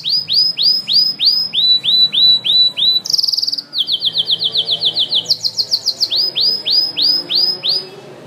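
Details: Canary singing loudly and intensely: fast trains of high, sweeping rising syllables, several per second, switching between separate rolling tours, including a brief buzzy trill and high thin rapid notes, with a faint low background hum.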